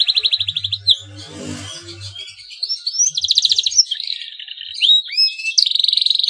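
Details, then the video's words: Male canary in breeding condition chirping to stimulate rival canaries to sing: fast bright trills and upswept whistles, with a brief low rumbling noise early on. "CUIT CUIT KENARI JANTAN BIRAHI UNTUK MERANGSANG BUNYI KENARI LAWAN AGAR MAU BUNYI DAN GACOR"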